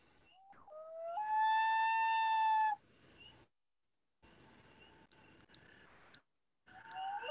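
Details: A loon gives a quick rising note, then a loud, long, steady mournful tone with rich overtones, then fainter wavering notes after a pause; the call is heard on Maine lakes and ponds in spring when loons set up nest territories.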